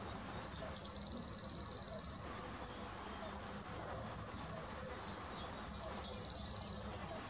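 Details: Two matching phrases from a great crested grebe at Ammersee, 30 April 2018, about five seconds apart: each opens with a falling high whistle and becomes a rapid, steady, pulsed trill, with quiet background between them.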